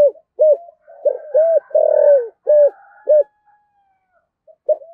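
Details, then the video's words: Spotted dove kept as a lure, calling the flock in the 'giọng thổ' style: a rapid run of short low coos around one long falling coo, then a thin fading note and brief quiet. "cu gáy giọng thổ thúc gù gáy gọi đủ bài dùng kích bổi rất hiệu quả"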